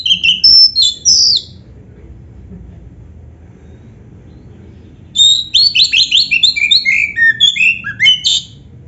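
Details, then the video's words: Black-breasted oriental magpie-robin tutor song for prompting caged birds: a short burst of varied whistles, a long quiet gap, then a lively quick sequence of descending chirped notes. "SUARA BURUNG KACER MASTERAN"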